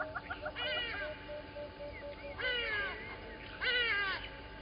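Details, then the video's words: Little grebes at Gowrie dam waterhole, Djuma Game Reserve, Sabi Sand, South Africa, 10/08/20, give bursts of harsh, descending, harmonic-rich whinnying calls with a brief chatter at the start, over a faint steady hum. "Little Grebes"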